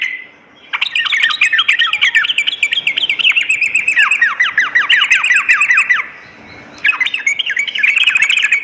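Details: Lure and master song of a sooty-headed bulbul for morning and night: a loud, dense five-second stream of rapid slurred chatter with high ticking notes, a pause, then a further burst.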